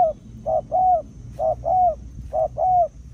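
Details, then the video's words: Spotted dove from a decoy-bird trapping recording, cooing loudly in paired phrases: a brief hollow note followed by a drawn-out slurred coo, three pairs roughly a second apart, faint hum behind. "Cu Gáy"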